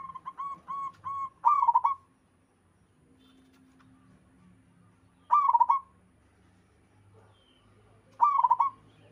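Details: Local zebra dove with other doves answering. A run of evenly spaced single soft coos leads into a rolling trilled phrase. After a quiet gap, two more fast cooing phrases follow about three seconds apart.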